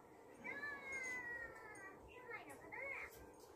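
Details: Captive blue-fronted amazon parrot vocalizing at home: a drawn-out, slightly falling whistled tone, then short upswept meow-like notes, with faint room noise behind.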